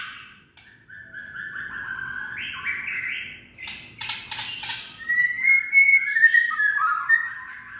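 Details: Kretekan song of a white-rumped shama, meant to excite other shamas into full song: flat whistled notes stepping upward, a burst of harsh, crackling notes midway, then fast, lower, warbling phrases that rise and fall.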